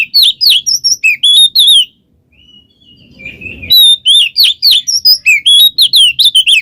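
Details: Ngeplong ngekek song of an Oriental magpie-robin, meant to lure a reluctant bird into singing: rapid sequences of sharp, varied whistled notes and downslurs, a short gap with soft background noise, then another dense, fast run.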